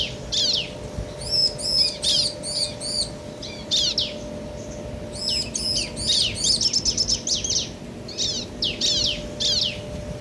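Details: Male and female bar-winged prinia trading song: clusters of high, bright chirps, a long dense rattling run near the middle, then scattered downslurred notes.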